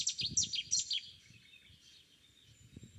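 Cetti's warbler gives a sudden, loud burst of about five sharp, high, ringing notes in quick succession, then falls silent over a faint low rumble.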